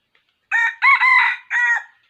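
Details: Crow of a red junglefowl near a decoy rooster set as a trap, recorded 6 January 2021, sounding like a young cockerel. A short opening note, a long drawn central phrase and a clipped final burst, with no background sounds.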